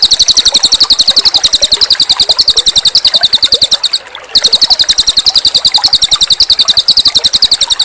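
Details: Energetic cililin singing, a master recording with running water: a fast, even, very high-pitched pulsed trill that runs almost nonstop, broken by one short pause near the middle.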